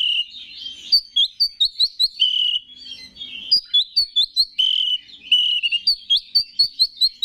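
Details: Singing Oriental magpie-robin, a bird kept for song contests, used to provoke other males: mellow whistled slurs alternating with quick bright notes delivered in rhythmic bursts, steady and loud.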